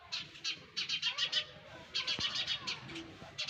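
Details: Nest of young sparrows producing clusters of fast, thin, harsh chirps, broken by short pauses and a single loud click.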